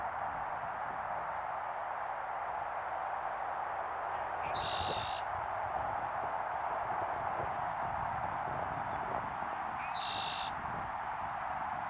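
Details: Red-winged blackbird recorded with a Sony a7v camera: two songs about five seconds apart, each a few short high notes leading into a loud buzzy trill lasting about half a second, over a steady, loud, rushing background noise.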